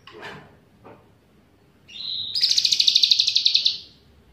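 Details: Bulbul (cucak ranting) trained with cicilin song: faint background noise, then a steady thin whistle leading into a loud, fast, even trill of sharp high notes lasting over a second.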